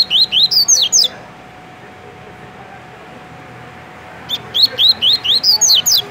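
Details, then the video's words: Tui tui style song of a kept double-collared seedeater in Rio de Janeiro, Brazil: a rapid series of bright rising whistles, a three-second silence, then another run of seven or eight high, slurred notes ending in sharper downswept ones. "Coleiro TUI TUI MUSTANG dando um show de cantoria"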